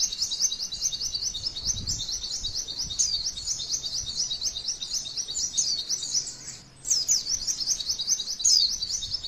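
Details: Female white-eye in a training track meant to provoke other white-eyes into singing: a dense, high, unbroken stream of fast rolling twitters, briefly dropping out near seven seconds before bursting back with sharp bright accents.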